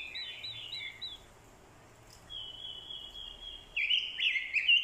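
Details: Orange-headed thrush decoy in fighting song prompted by a female's calls: a quick warbled phrase, a long thin high whistle, then loud, rich slurred notes swooping up and down.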